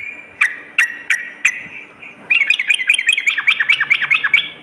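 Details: Sooty-headed bulbul song used to lure birds, morning and night. Four spaced sharp chirps, then a quick rolling run of down-slurred notes.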